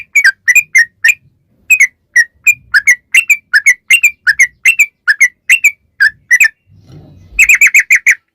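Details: Sooty-headed bulbul singing for use as a lure for bulbuls: a long string of evenly spaced, sharp whistled chirps, a pause with a soft low noise, then a fast rattling burst of notes.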